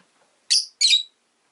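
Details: A pet rosy-faced lovebird utters two loud, grating chirps about a quarter second apart.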